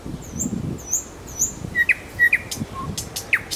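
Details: Nightingale song from Kuzminsky forest park: thin high whistled notes repeated three times, then loud sharp down-slurred chips and brief whistles, with a quiet background.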